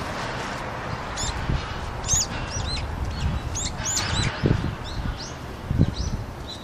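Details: Wintering brown-eared bulbuls drinking on a Seoul rooftop, South Korea, 6 February 2020, a colder day with frozen water; a busy run of sharp, high squeaky calls, with low thumps and wing flaps among them, against city noise.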